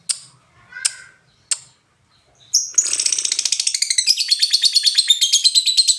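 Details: Lovebird giving three sharp separate chirps, then breaking into a fast ringing chatter of rapid high notes repeated about three times a second, rising in intensity; described as ngetik, ngoek, then ngekek.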